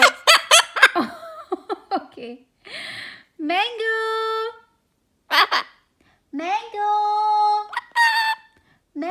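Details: Year-and-a-half-old pet male severe macaw imitating a laugh: a burst of rapid choppy staccato notes like chuckling, then drawn-out nasal squawks that rise and hold steady, repeated with pauses.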